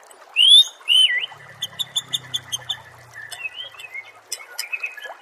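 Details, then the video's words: Murai training song: two loud rising whistles open, followed by a steady series of quieter, evenly spaced chips and soft trailing notes, with a faint low hum. "Masteran murai AMPUH yang di pakai semua burung juara PASTI CEPAT GACOR DAN NGEPLONG"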